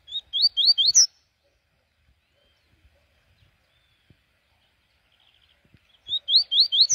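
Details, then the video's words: A double-collared seedeater on a morning outing sings two short bursts of rapid, rising whistled notes, three or four quick slurred phrases each, separated by a pause of about five seconds. "rolezin da manhã com coleiro"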